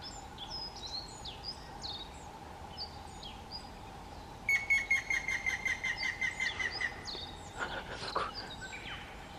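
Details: A Grey-headed Woodpecker in May gives a run of about ten clear whistled notes that slowly fall in pitch; small birds twitter before and after, over a steady background hum.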